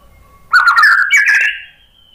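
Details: White-rumped shama song used as a lure to provoke other birds into answering; a single rich, warbled phrase lasting just over a second, rising in two steps and ending on a thin sustained whistle.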